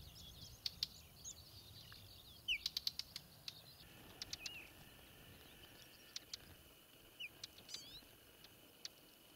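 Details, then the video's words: Whinchats on Exmoor calling: faint, sharp ticking clicks, some in quick clusters of three to five, mixed with thin high chirps and a short slurred whistle, over a soft steady background hiss. "Whinchats On Exmoor"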